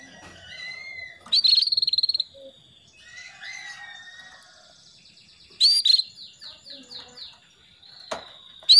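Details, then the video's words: Female canary calling the male as a lure to start a male singing; soft whistled notes, a rapid rattling trill, a series of quick descending chirps, and sharp clicks near the end. "PANCINGAN KENARI BETINA MEMANGGIL JANTAN PALING DAHSYAT"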